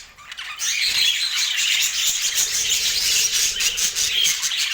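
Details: Colourful pet budgerigars with apple twitter busily in high, buzzy warbles after a quiet start, with sharp clicking sounds scattered through the chatter.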